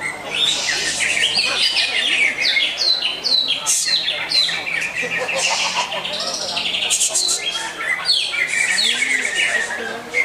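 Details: Extended greater green leafbird song: rapid cascades of bright, down-slurred chirps and whistles, loud and nearly continuous, with a few harsher scratchy notes mixed in and some low background murmur.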